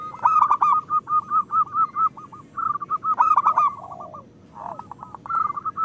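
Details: Singing local zebra dove used to prompt quiet birds to sing: a fast, even series of soft rounded coos, then a louder rough burst and further short cooing runs.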